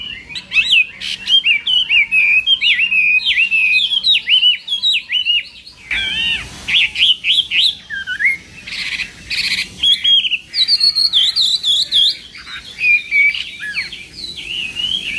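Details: Chinese hwamei practising its contest song in the morning: long sequence of loud varied whistles, slurs and quick trills in repeated phrases with short pauses, some higher bright notes near the end, faint hum in background.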